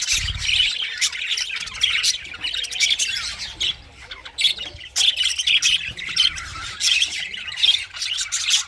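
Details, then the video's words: Continuous budgerigar warbling, many quick squeaky chirps layered together in a steady, busy chatter with small dips in loudness. "English Budgies parrot 🦜 beautiful singing chirping sounds"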